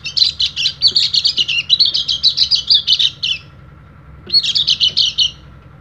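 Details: Oriental white-eye of the dakun type calling to rivals and used for training other birds: fast, high chirping chatter for about three and a half seconds, a brief pause, then another short burst of quick notes.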